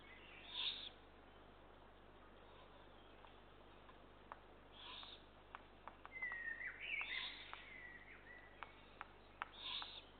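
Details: Feeding of Eurasian eagle-owl chicks, 2 June 2023: rasping hiss bursts at intervals, with a run of sharp clicks and rustling in the middle part.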